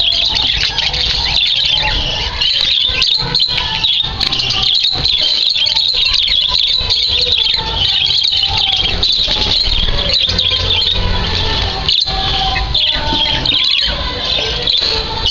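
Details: A crowd of captive budgerigars offered for sale in Digos City chatters nonstop in bright, scratchy warbles and chirps, layered into a dense high din.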